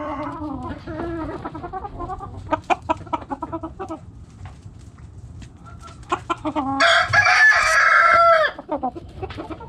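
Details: Backyard hens clucking in quick, uneven bursts, then a loud, broad rooster crow lasting nearly two seconds, with further clucks after it.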